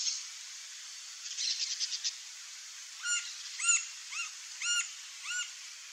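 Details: Green-barred woodpecker in natural Brazilian habitat, seen feeding on ants: after a brief insect trill, six evenly spaced arched notes ring out, each with bright overtones, against a constant high background hiss.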